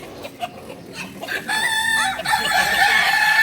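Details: Kukuak balenggek rooster at a crowing contest practice in Panyakalan, Solok; after faint background noises, a loud harmonic crow begins about halfway through and is held as a long, steady, ringing tone to the end.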